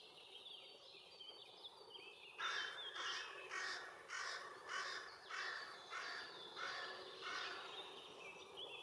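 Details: Young male great spotted woodpecker with its mother at a tree hole shared with bees, Puszcza Bydgoska, Bydgoszcz, June–July 2023; after two seconds a harsh, rasping call repeats about twice per second in a steady series, with faint birdsong behind.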